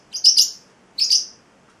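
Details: Two loud, bright, slightly buzzy chirps about three quarters of a second apart, each a doubled note, from a pet male Celestial parrotlet aged eight weeks, in otherwise silence.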